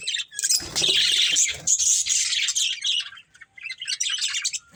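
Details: Budgerigars in a family group burst into loud, rapid chirps and squawks, then continue with softer, scattered twitters.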